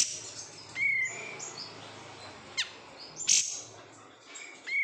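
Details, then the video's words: Oriental white-eye, called kapas tembak, a cared-for bird from bulk-caught stock, gives clear, thin, level whistles, a sharp click and a loud high chip, repeated at irregular intervals over a low hum. "menikmati suara kapas tembak KG"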